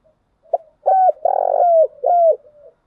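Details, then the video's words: Spotted dove cooing as a lure for other doves, apparently a female decoy: three soft, mellow coos, the middle one longest and slightly rough, each sliding gently downward, in a quiet setting. "Tiếng chim cu gáy mồi giọng lôi cuốn hấp dẫn đủ bài[ THÚC GÙ , GÁY GỌI ]"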